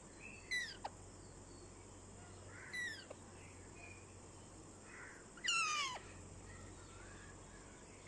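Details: Rose-ringed parakeet, a ringneck kept as a talking parrot, giving three harsh, descending squawks with rich overtones, spaced a few seconds apart over steady background hum.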